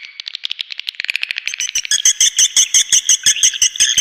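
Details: Lure recording of swiftlets: quick, tight chirps speed into a regular series of loud, buzzy clicking pulses repeated roughly three times a second.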